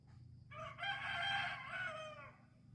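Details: Chicken on an island giving a single crow lasting about two seconds, a harmonic, slightly rising then level cry that fades at the end, with a low steady hum underneath.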